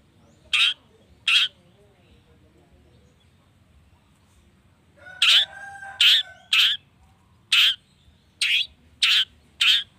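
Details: Long-tailed shrike lure recording meant to provoke other shrikes into answering: a pair of harsh, rasping bursts, a pause, then a run of six more scratchy notes spaced about half a second apart, with a faint lower tone underneath.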